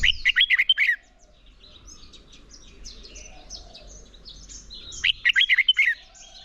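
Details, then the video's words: Morning song of a red-whiskered bulbul trained for competitive singing: a quick bright warbled phrase, several seconds of faint chirps over low background noise, then the same phrase again. "Chào Mào Hót Đấu - Kích Chào Mào Hót Sáng Luyện Giọng Bổi Hót Đấu Căng Lửa"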